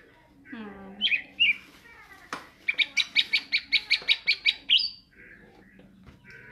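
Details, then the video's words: Greater green leafbird in ngentrok singing style: a few slurred whistles, then about eleven sharp, evenly spaced chip notes in quick succession before a short whistle, over low background music. "cucak ijo gacor ngentrok"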